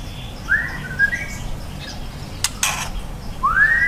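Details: Juvenile white-rumped shama whistling: a rising arched note followed by a softer level phrase, then a clean rising whistle at the end, with two sharp bursts of clicking noise in between over faint hum.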